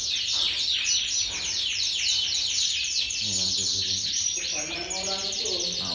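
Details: Caged-style canary, AOB 23, delivering rapid high twittering trills and chirps about four per second, while a man's voice murmurs in the background.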